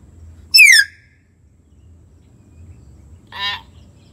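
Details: Common hill myna, for prompting a silent bird to sing: one loud, sharp whistle that slides down from high to middle pitch, then after a long gap a softer nasal, buzzy note.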